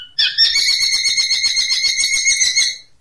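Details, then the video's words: Long-tailed shrike in its 'tembakan unik' song style: a brief rising squeak, then a rapid, steady run of shrill, rasping notes lasting over two seconds, in a small indoor space. "Masteran Cendet Tembakan Unik"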